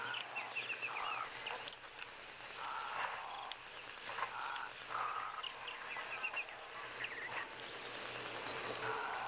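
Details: Odd honks from Egyptian geese taking it easy on a Saturday: harsh, blocky calls in short bursts spaced a second or two apart, with faint chirps of other birds and steady low outdoor hum.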